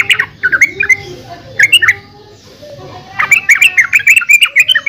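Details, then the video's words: Yellow-vented bulbul song: bubbly, gurgling phrases of quick up-and-down notes, a short pause, then a longer lively run of chattering notes. "Suara Burung Trucukan"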